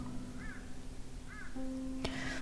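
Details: Several crows calling a lot outside during an indoor reading; one gives two harsh, arched caws about a second apart, then a sharp knock and a third rougher call, over a steady low hum. Described as very large.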